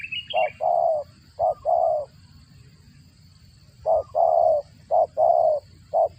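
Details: Spotted dove feeding its chicks, its voice likened to a cricket's: low, throaty cooing notes, each short note followed by a longer wavering one, in two bursts separated by a pause of nearly two seconds.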